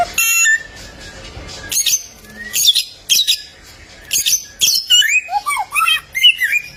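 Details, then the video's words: Golden samyong (bare-throated whistler) of Flores: harsh noisy bursts separated by pauses, then a flurry of twisting, dipping whistled notes. "AMAZING SOUND OF THE GOLDEN SAMYONG BIRD"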